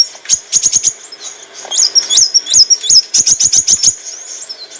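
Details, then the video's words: Olive-backed sunbird song used as a training recording for cage birds: rapid high thin chips in quick bursts with short sliding whistled notes, clear and bright, with faint background music. "kicauan burung kolibri wulung - suara jernih untuk masteran & pancingan"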